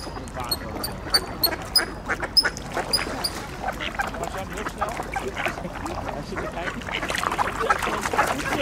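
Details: Mallards gathered with Eurasian coots and two swans at an ice hole, jostling for scattered bird seed; a rapid run of harsh quacks and chatter, about one and a half per second, with wingbeats, splashing and a man's voice.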